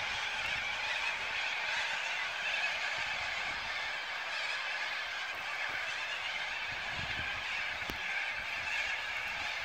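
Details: Thousands of corellas roosting for the evening on the Onkaparinga River screech together: a dense, unbroken wall of harsh, grating calls with no gaps or single voices standing out.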